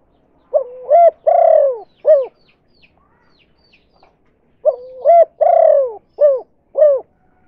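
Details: Spotted dove giving the "kuk 2" call type, used as a lure to attract other doves: two phrases, each a short rising note, a long falling coo, then two clipped coos, with a quiet pause between phrases.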